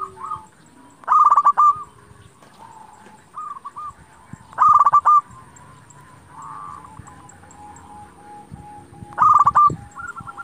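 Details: Local zebra dove singing persistently, played to rouse rival doves into calling back: three loud bursts of fast rolling coo notes about every four seconds, with softer trilled coo phrases between them.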